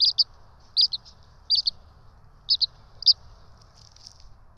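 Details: Two bald eagle chicks at the ETSU nest in Johnson City beg during a feeding on 12 March 2024, giving sharp high squeaks in doubled bursts, about forty per minute at irregular spacing, over a quiet low hum.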